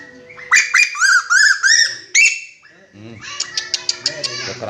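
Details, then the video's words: A red-eyed kuwu bird calls loudly with a rapid run of five or six harsh, ringing squawks, then a burst of sharp clicking and chattering with fainter voices in the background. "Burung kuwu mata merah suara keras"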